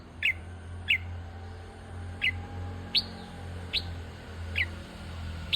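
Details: A bulbul repeats clear, sharp chirps that slide downward, about one every three-quarters of a second, over a low steady hum.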